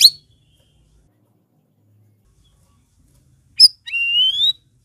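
A sooty-headed bulbul gives a sharp high chip, then a clear whistle that slides up and holds steady; the rest is silent.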